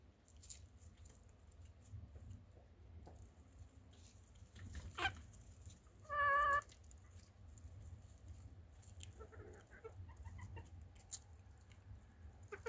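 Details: Chicken giving one short, loud, harmonic squawk lasting about half a second, set against a quiet background with faint scattered clicks and rustles.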